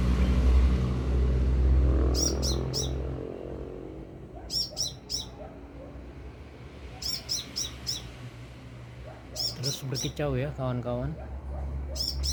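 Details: Sunbird singing persistently: high sharp chirps in tight groups of three or four, repeated every two to three seconds over a low rumbling hum, with a brief wavering lower sound near the end.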